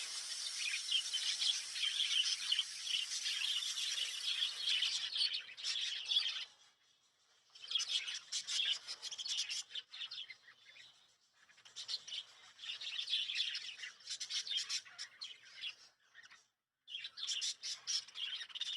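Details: Night-time chatter from lovebirds kept at home around sleeping time: continuous shrill chirping and rapid twittering, broken by short quiet gaps near seven, eleven and sixteen seconds, then resuming in busy bursts.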